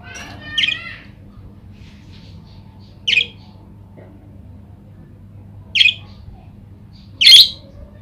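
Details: Budgerigar calls played to stimulate other budgerigars to respond and sing: four short, harsh chirps at uneven gaps of about two to three seconds, the last loudest, with faint soft warbles between.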